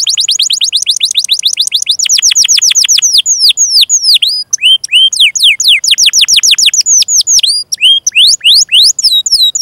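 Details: Canary singing at length as a tutor for juvenile and silent canaries: a long rapid trill of falling notes, then varied sweeping and rising whistled phrases delivered quickly.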